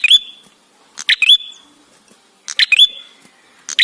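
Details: Lure recording of ashy tailorbird song meant to set birds singing: three spaced phrases of clicking notes capped by a ringing upward whistle, separated by near-silent gaps of over a second.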